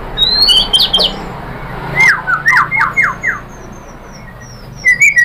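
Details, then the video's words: White-rumped shama lure song to excite other shamas into singing: short, fast trilled runs of sharp notes in two bursts, with a faint high series of ticking notes and background noise. "Suara MURAI BATU jadi EMOSI GACOR BONGKAR ISIAN | PANCINGAN MURAI ¦ SHAMA BIRD"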